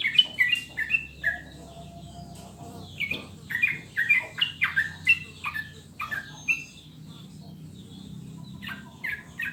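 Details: Sooty-headed bulbul song played to prompt caged birds to sing: clear bubbling whistled phrases, short falling and rising notes in quick bursts with brief pauses, over a low steady hum.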